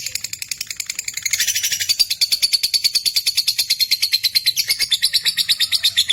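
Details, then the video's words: Caged Lutino opaline lovebird giving rapid, high-pitched chattering chirps, about three per second, that start softly and grow louder and steadier after the first second, continuing unbroken to the end. "Love birds sounds|Love bird pakhi|love birds voice|Lutino opaline lovebirds"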